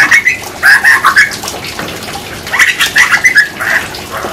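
A grey butcherbird sings clear, fluty whistled notes in two short runs, each note rising and falling, over a soft background hiss.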